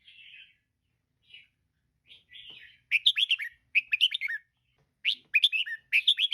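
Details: Female red-whiskered bulbul in a cage, used to encourage listless birds to perch-hop and sing: faint soft murmurs followed by three loud phrases of quick rich chirruping notes.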